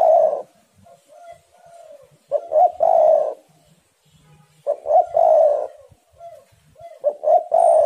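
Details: Spotted doves in full voice, heating each other up, used as a lure to get other doves singing: low mellow coos in three phrases, each a soft lead note then a loud rolling double coo, repeated every two to three seconds.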